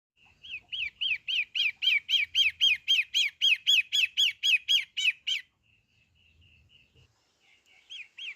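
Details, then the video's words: Long-tailed shrike of the kind called pentet matahari, singing vigorously: a fast run of about seventeen harsh, high, evenly spaced squawky notes, roughly four per second, then a pause and a few soft notes before a fresh harsh note. "Burung pentet matahari gacorr"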